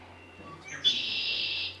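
A red-winged blackbird gives its conk-la-ree song: a few soft clipped notes, then a loud, harsh buzzing trill of nearly a second. A low room hum runs underneath.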